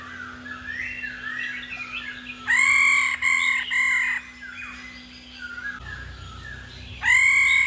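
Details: Female laughingthrush giving its rolling 'ro' call, said to push males into full song every day: faint warbled phrases broken by loud, clear whistled notes around 2.5–4 seconds and again near 7 seconds, with a steady low hum behind.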